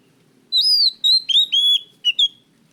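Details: A loud, clear-voiced, actively singing kacer (oriental magpie-robin) used as a lure recording gives a phrase of five slurred whistles sliding downward, ending with two short clipped notes.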